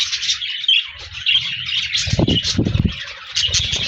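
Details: Several budgerigars chirping on 14 January 2024: a steady stream of high twittering and warbled chirps, with a few clearer whistled notes early on and low fluttering thumps in the middle.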